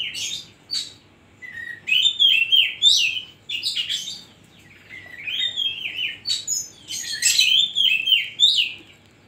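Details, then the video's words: Oriental magpie-robin singing loudly with koslet-style fill: varied, rich warbled phrases of whistles and quick notes rising and falling, delivered in bursts with short gaps, some harsh scratchy notes mixed in. "burung kacer gacor isian koslet"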